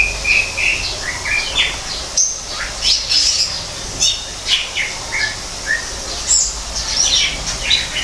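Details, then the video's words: A greater green leafbird in an aviary built to look like a natural habitat sings a lively, varied stream of clear whistles, chirps and short squeaky trills, switching phrases every half second or so. "kicau cucak ijo"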